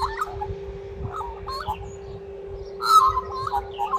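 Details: Australian magpie, vocal, giving short fluty, warbling phrases in bursts with brief pauses between, over a steady low electrical hum.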